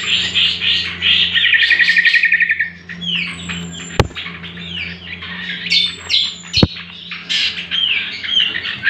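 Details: Master song of the greater green leafbird for training birds, opening with a fast rattling trill, then varied whistles and descending slurs, punctuated by two loud clicks, over a steady low hum.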